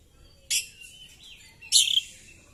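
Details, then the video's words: Oriental magpie-robin in fighting display, tail spread: two loud, harsh high bursts about a second apart, the second a buzzy chirping cluster with a brief whistled tail. "Burung kacer gacor!!kacer tarung buka ekor bongkar materi"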